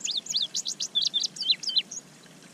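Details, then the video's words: Singing male indigo bunting at a bird pond in spring, May 25, 2023, approaching to bathe: clear, high, sharp sweeping notes delivered quickly, mostly in pairs, then a few slower notes before fading into quiet. "Indigo Bunting Singing in the Bath ~ Indigo Bunting Bird Song"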